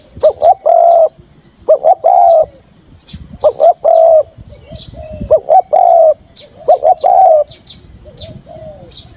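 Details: Spotted dove used as a trapping decoy, calling the full thúc gù sequence in field-voice style: four loud phrases, each two quick rising notes and a longer, falling coo, repeated every two seconds with soft coos between.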